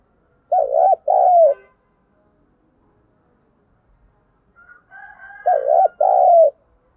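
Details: Decoy cooing of a spotted dove used for training newly caught birds: a pair of low, throaty coo notes, a long silent gap, faint higher murmurs, then the same double coo repeated about five seconds later.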